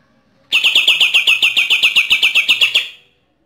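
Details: Bornean green leafbird, a wild-caught bird from East Kalimantan, fires off a rapid burst of about fourteen loud, ringing, slightly harsh notes in under three seconds, like a machine-gun rattle.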